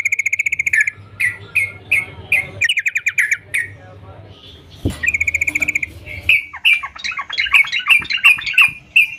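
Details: Sooty-headed bulbul singing briskly: rapid rolling whistled trills and short notes, a quiet gap, then more trills and a quick run of bright chirps.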